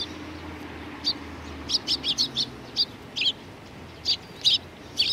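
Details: Eurasian tree sparrows assembled at food at a Tenmangu shrine on 19 April 2019; a lively run of short high chirps, several in rapid succession, then spaced singles, above a quiet background hum.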